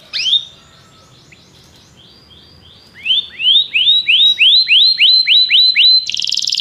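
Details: Belgian canary: a brief sharp note, a soft quiet stretch, then a series of loud rising whistled notes repeated about three times a second, ending in a buzzy burst.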